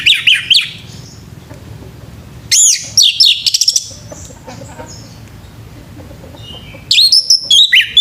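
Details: Male orange-headed thrush singing in the morning, used as a training recording for captive birds: loud bursts of rapid, high whistled and sweeping notes at the start, near three seconds and at the end, with quiet gaps and faint background hum.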